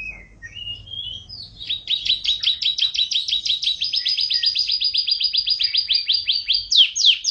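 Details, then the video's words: Champion caged canary in lively song: a few opening chirps, then a long, very fast, even trill of high repeated notes held for about five seconds, ending in quick rising and falling sweeps. "BURUNG KENARI JUARA GACOR LUCU"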